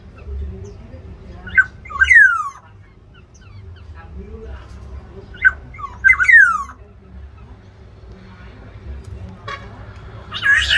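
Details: Black-naped orioles fighting in an aviary to defend or seize territory. Harsh, nasal, descending calls come in close pairs, then a long quiet gap, then a final rasping note. A low hum runs underneath.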